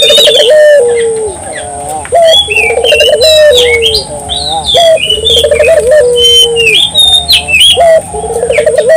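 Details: Barbary dove singing persistently to set local doves singing: repeated low rolling trills, each ending in a drawn-out falling coo, about four phrases, with frequent high twitters and chirps of other birds.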